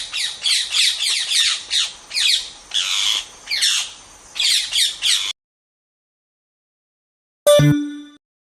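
A parrot gives about ten harsh, grating squawks in quick bursts over five seconds. A brief tonal chime follows after a pause.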